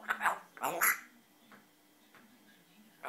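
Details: African grey parrot asking to come out, speaking a few quick, husky words in a small room, then falling quiet.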